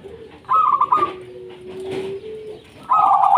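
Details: Zebra dove of a local Indonesian strain singing to get reluctant doves calling: a quick stuttered cooing trill, a soft low sustained note, then a second bright rattling coo phrase at the end.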